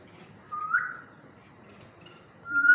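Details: African grey parrot in a happy mood: two short whistled notes, the first rising and sliding level, the second a bright rising whistle near the end, over a quiet background.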